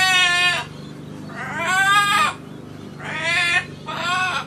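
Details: Pet macaw parrot laughing and talking, calling to its grandpa: four loud harmonic squawking calls, each about half a second to a second long, spaced roughly a second apart, with a low engine-like hum underneath.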